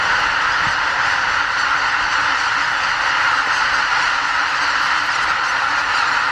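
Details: A huge spring flock of greater white-fronted geese on a migration stopover at Lake Miyajimanuma, Bibai, Hokkaido. Nearly 80,000 birds take off from the roost before sunrise to feed on nearby farmland, and their honking merges into one steady, roaring chorus.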